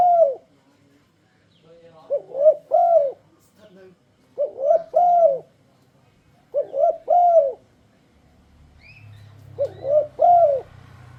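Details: Luring song of a turtledove, used to induce other turtledoves to sing: clusters of two or three short arched coos repeated about every two seconds, with a low rumbling noise near the end.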